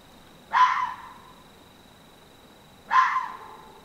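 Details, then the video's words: A Barred Owl gives two short, harsh, barking calls about two and a half seconds apart over a faint steady high whine; filmed as one of the surprising sounds of the Barred Owl. "the surprising sounds of the Barred Owl"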